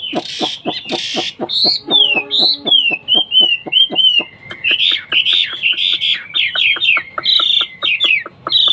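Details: Song of a kept Hwamei, a bird from China: bright, shifting whistled notes, some descending slurs and quick warbled bursts, mixed with repeated dry clicking ticks and a brief low tonal hum early on.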